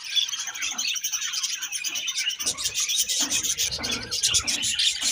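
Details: Busy high chatter from budgies, with rapid scratchy chirps and warbles, growing denser midway, along with faint rustling below.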